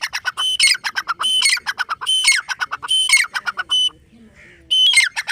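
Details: Grey francolin, known locally as teetar or dakhni teetar: loud, harsh squawking phrases repeated rapidly, each with a clear high whistled tone and rattling lower notes, pausing briefly near the end before the calling resumes.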